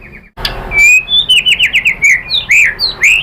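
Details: White-rumped shama lure song: after a short burst of noise, bright clear whistles and a quick series of repeated slurred notes, ending with loud rising whistles.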